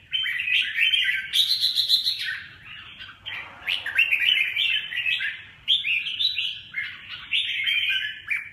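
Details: Red-whiskered bulbul singing an almost continuous stream of lively warbled and chirping notes, with a brief softer break midway.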